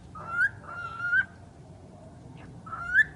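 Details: A talking bird makes several clear, voice-like tonal syllables, each rising slightly at the end, in short bursts with quiet pauses between them.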